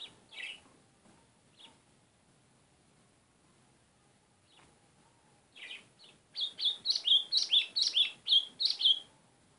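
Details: Song of a White-throated seedeater. Sparse soft chips open it, then a burst of about eleven strong, high, slurred notes comes about twice a second. A faint steady tone hums in the background.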